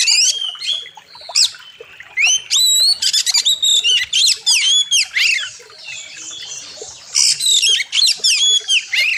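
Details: Oriental magpie-robin song used as training material for kacer birds: nearly continuous loud phrases of rising whistles, sharp chips and harsh rattled notes, rapidly alternating with short gaps.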